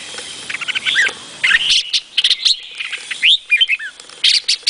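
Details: Vietnamese-type red-whiskered bulbul giving lively chattering song: quick runs of clipped chirps leading into looping, slurred whistles, then sharp rising notes toward the end.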